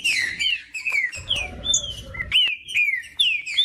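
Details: Caged green-winged saltator song, played to warm up a cold bird: loud clear whistles gliding down in quick succession, with a brief low rattle near the middle.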